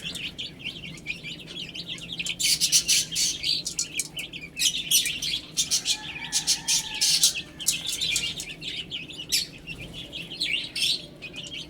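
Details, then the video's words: Baby hens eating and drinking, high peeping chicks mixed with repeated loud scratchy clattering bursts, a faint lower hum briefly in the middle, the peeps continuing under everything. "Cute Chicks Chirping Sounds"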